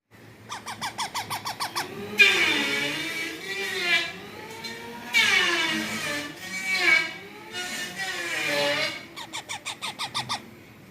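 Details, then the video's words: Baby parrot said to have started speaking at five days old; quick trains of harsh pulsed squawks open and close, framing longer, loud, wavering harmonic calls that rise and fall in pitch. "तोता का बच्चा मात्र 05 दिन में बोलने लगा | The baby parrot started speaking in just 5 days"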